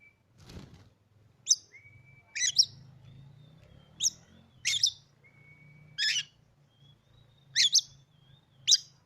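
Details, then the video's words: Caged Oriental magpie-robin, recently acquired, that had stopped singing for its previous owner, used to provoke other magpie-robins: long flat whistled tones alternating with sharp, high chirps and crisp notes in short bursts, with a low hum behind. "kacer kamu pasti langsung gacor,,Cocok untuk memancing Emosi burung kacer"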